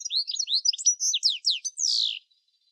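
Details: A European goldfinch in Sweden sings a quick, tinkling run of high twittering notes ending in a drawn-out, buzzy, descending wheeze, with no other sounds.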